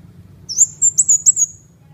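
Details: Ốc mít bird singing continuously: a quick series of very high, thin, whistled and slurred notes in a short burst, over a faint low hum in the background.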